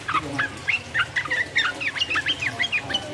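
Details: Sooty-headed bulbul delivering its 'ropel uplik uplik' song to excite rival birds: a run of short, bouncy whistled notes, roughly two per second, some rising, some dipping, over faint low background hum.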